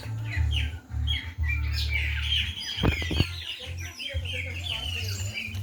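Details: Birds singing at dusk in the countryside: several overlapping high chirps and short sweeping notes, with a busy burst midway, over a steady low hum and a few sharp knocks near the middle.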